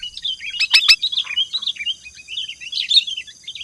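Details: Sooty-headed bulbul singing a lively 'gacor' master song, played as a lure to set off singing. It is a continuous rambling chatter of quick, bubbly, up-and-down twittering notes, with a sharp loud burst near the start over faint background hiss.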